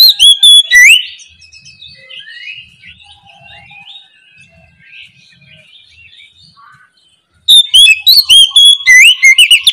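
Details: Oriental magpie-robin singing openly in the morning, a lure song to prompt reluctant magpie-robins to answer: loud bursts of sharp whistled, upslurred notes about four a second, a softer warbling, chattering passage between, then loud whistles again.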